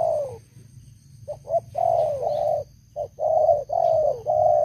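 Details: Old lure spotted dove in a cage, known for a strong voice, delivers rapid runs of soft coos, brief notes followed by drawn-out tones that slide downward, against a steady low hum and faint high whine.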